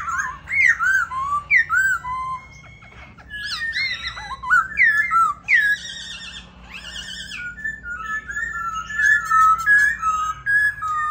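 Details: Caged white-cheeked laughingthrush singing and dancing: a rapid string of clear whistled notes, rising and falling slurs and trilled phrases, some sweeping high, delivered in quick bursts with brief pauses.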